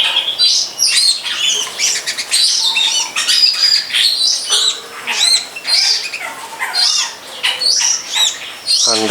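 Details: Outdoors behind a friend's house by a longan orchard, a wild long-tailed shrike gives a harsh, chattering song of rapid scratchy notes and squawky phrases, nearly continuous, with brief quiet breaks.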